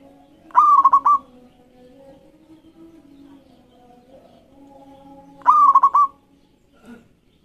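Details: Local zebra dove, recorded as a lure to start other birds singing: two rolling coo phrases about five seconds apart, each a long note then quick bubbling notes, with a brief faint sound at the end.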